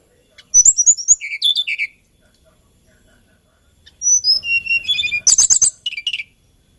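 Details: Song of the hill blue flycatcher, locally tledekan gunung, found on Kalimantan and Java: two bursts of rapid, varied high whistled and chirping notes, stepping up and down in pitch and ending in dense high trills, separated by a two-second pause.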